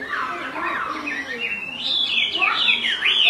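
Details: A female Chinese hwamei calls insistently to stir an unsettled male; the phrases begin with lower sliding whistles and build into louder, higher, sharply swooping notes toward the end.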